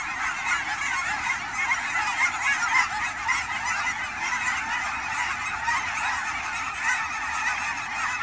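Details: Migrating Canada geese in autumn at Fern Hill Wildlife Area, Forest Grove, Oregon, Pacific Northwest: many birds honking at once, a thick continuous clamour with individual nasal honks rising out of the mass about twice a second.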